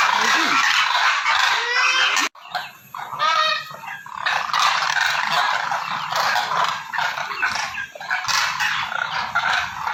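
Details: Calls of demoiselle crane (koonj): rapid, overlapping rough honks and croaks in quick runs, several per second at times, with a sudden brief break near the start and constant broadband hiss throughout.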